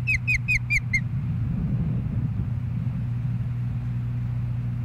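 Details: Osprey at a nest in Hellgate Canyon, Missoula, Montana, on April 20, 2016, filmed by a nest camera: five sharp, downslurred whistled chirps in rapid succession during the first second, then only a steady low rumble and hum.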